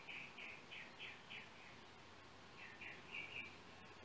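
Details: Trinidad's yellow oriole, cell phone recording: a quick run of about six short whistled notes, a brief pause, then four more similar notes, all over a steady hiss.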